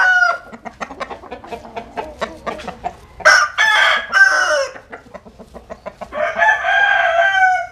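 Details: Chickens in the Mekong Delta countryside, out in the sun. Rapid rhythmic clucking runs throughout, broken by a loud rasping crow in the middle and a longer, steadier crow near the end.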